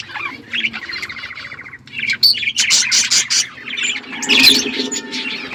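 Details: Budgerigar flock in an outdoor aviary: a buzzy, nasal drawn-out note opens, followed by loud bursts of sharp chirps and warbled twitters from several birds.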